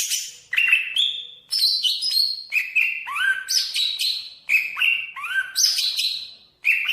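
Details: Variation 1 song of a greater green leafbird of Banyuwangi type, East Java: clear whistled level notes alternating with rising sweeps, loud phrases repeated in a cycling pattern without pause.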